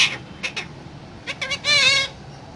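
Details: Talking parrot giving a few brief harsh bursts, followed by a longer wavering, voice-like harmonic call that dips and rises near the end.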